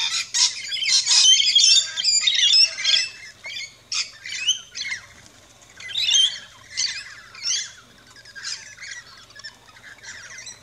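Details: Rainbow lorikeets chirping and squawking at a feeding station in an Australian backyard: bursts of harsh, grating, high screeches in quick overlapping runs, then shorter scattered squawks with pauses between.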